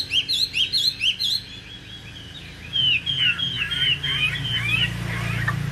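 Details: Caged Chinese hwamei, ranked in the top 10 at Thanh Trì in 2019, opens with fast repeated high doubled notes, then a flowing series of loud slurred whistles dropping in pitch, over a low hum.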